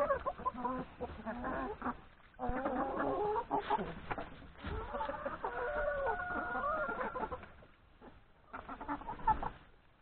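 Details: Chickens, hens and three roosters eating breakfast in the yard before going to graze in the forest; dense overlapping clucks and squawks in bursts, with brief quieter gaps.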